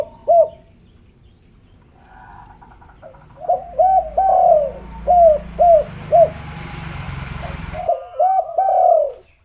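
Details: Spotted dove calling as a lure to prompt quiet doves, one coo, a pause, then a string of six short rounded coos followed by a longer swelling phrase, over a low rumbling background hum.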